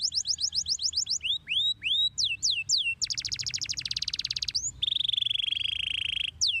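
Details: Canary song meant to make any other canary answer when played: a quick run of looping whistled notes, then a buzzy rattling trill, a long steady lower trill and one final slurred whistle.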